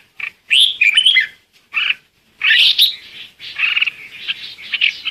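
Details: Lure red-whiskered bulbul singing to call its flock: a rich warbled phrase, a lone chirp, another fuller burst, then a run of quick chattering notes fading into a soft trill.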